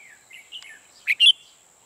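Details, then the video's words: Decoy red-whiskered bulbul kept for trapping gives a brief phrase: soft slurred whistles, then two loud, bright, sharply inflected notes, over a constant thin high-pitched tone. "Bẫy chào mào Mồi mới ché ngất người"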